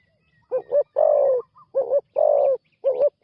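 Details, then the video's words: Spotted dove, a new decoy bird on its first ground training outing, cooing loudly: a short two-part coo followed by a longer drawn-out coo, the pair repeated three times in quick succession. "นกเขาใหญ่ต่อดิน ฝึกนกใหม่ออกฝึกครั้งแรกพอได้ยินเสียง"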